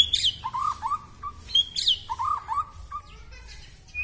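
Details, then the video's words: Long-tailed white-rumped shama of the K.L. type singing energetically with a full, varied song: bright high whistled notes and sharp upward flicks alternate with lower, slurred fluty phrases, bursts coming roughly every second before softer trailing notes. "Murai batu K.L ekor terpanjang gacor mutah isian"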